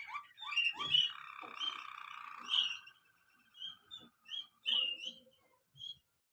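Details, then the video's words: Waterslager canary singing: short upslurred whistled notes, then a long low rolling trill that fades, followed by scattered sweet chirps and brief whistles separated by short pauses. "waterslager singing canary"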